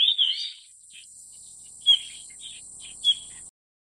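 Yellow-rumped Flycatcher giving a warbled high phrase, then a few short sharp chips spaced about a second apart, over a steady high insect hiss.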